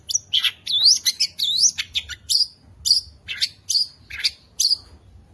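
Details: Long-tailed shrike, a contest winner, sings a varied mimicking song meant to provoke rival shrikes. Looping high whistled slurs come in quick succession, then a string of separate sharp chips about every half second.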